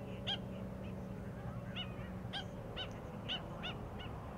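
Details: A pair of Australian pied oystercatchers foraging in beached seagrass wrack in the shallows of Peel Inlet, south of Perth, Western Australia, give sharp, high piping notes about two a second in loose bursts over a steady low rumble of surf and wind.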